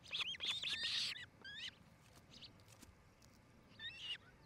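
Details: Ospreys at a nest in Charlo, Montana, on 8 July 2018 at about 5 pm: loud, rapid string of piercing whistled chirps opening the recording, a few lone chirps after, and a short bright burst near the end.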